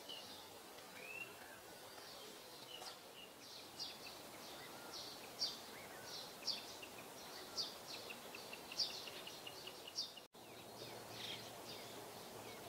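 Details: Little ringed plovers, three birds chasing one another in a courtship display with tails spread, on a vacant lot near home, 10 May 2021; faint short high call notes repeated irregularly over steady outdoor background noise.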